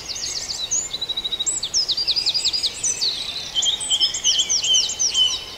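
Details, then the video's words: Birds singing in a dawn chorus at Farndale, with rapid, repeated high chirps running in quick series and overlapping trills from more than one singer, dense and continuous throughout. "Dawn Chorus"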